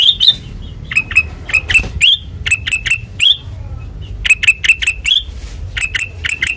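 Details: White-eyed kutilang emas giving ngeplong song: loud sharp rising chirps in spaced bursts, with faint soft notes between the groups.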